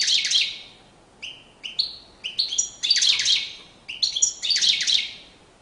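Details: Courtship song of a European goldfinch: loud, tinkling twitter bursts alternate with separate high chirped notes, the phrases returning roughly every second or two.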